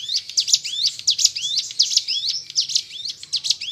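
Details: Hill prinia (ciblek gunung) song played to prompt captive birds to sing: rapid high chirps, many sharp upswept notes and buzzy trills packed together, about one and a half phrases per second, with a faint low hum underneath.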